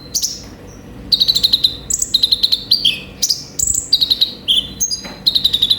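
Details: Lively olive-backed sunbird song, a therapy and lure recording: after a brief opening whistle and pause, rapid chattering trills and piercing high whistles follow each other in short, varied phrases.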